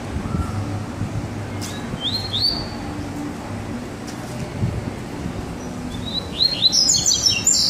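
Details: Baderna-style song of a double-collared seedeater, one of two birds together: short high slurred notes near two seconds, then a denser chattering burst toward the end.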